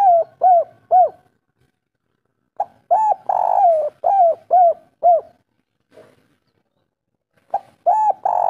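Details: Lure song of a local spotted dove, kuk 3 style: three quick soft coos, a silence, then long rolling notes and short coos. After another pause a fresh phrase begins.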